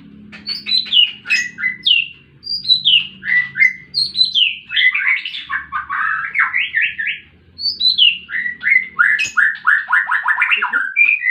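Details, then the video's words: White-rumped shama in fighting mood, kept as a lure to draw out stalled birds: a rich, fast run of varied whistled and chattering phrases, sweeping up and down, with hardly a pause, over a faint low hum. "Murai batu tarung pancing bunyi burung macet"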